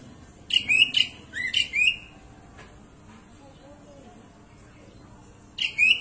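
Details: Talkative sooty-headed bulbul delivering a run of four rapid, bubbling, falling phrases, then a pause of several seconds before another burst of similar notes.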